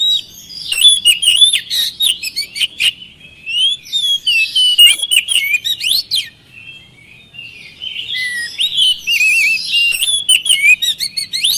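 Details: Oriental magpie-robin song used to stir lazy birds into singing, a long rambling stream of whistles, chirps, rattling notes and harsh bursts, with a quieter stretch in the middle before loud varied phrases resume.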